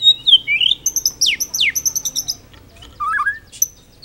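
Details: White-rumped shama in full-repertoire song used as a training master: a varied, quick mix of sharp downward-sweeping whistles, thin high chips and a lower burbling phrase, delivered in an irregular, lively stream.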